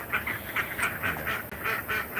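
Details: Domestic ducks kept on a farm, quacking: a steady run of nasal, honking quacks, about four per second, loud and close, with a faint click midway.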